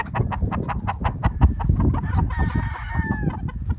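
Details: Flock of chickens clucking in quick, evenly spaced bursts, then a rooster's crow sliding slightly downward for about a second, with the clucking continuing underneath.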